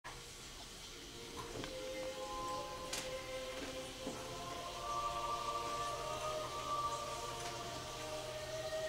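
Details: Faint, quiet music with sustained tones over a steady hiss, and no animal sound.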